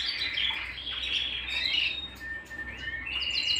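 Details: Canary singing at home: a varied run of high warbled phrases, a rapid rolling trill, then a steady whistled tone sliding into fast repeated notes at the end.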